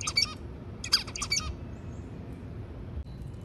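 Zebra finch song: short bursts of harsh, nasal, buzzy notes strung together in quick phrases.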